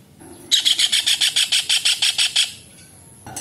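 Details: Calling kingfisher, locally cekakak or tengkek udang, recorded as tutor material for songbirds. Delivers a single loud, rasping rattle of about thirteen quick, pulsed notes over two seconds against a quiet background.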